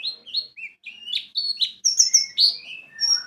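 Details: White-eye (pleci) lure song: loud high whistled phrases, some swooping up or down, delivered in short bursts roughly every quarter second, ending with a falling whistle.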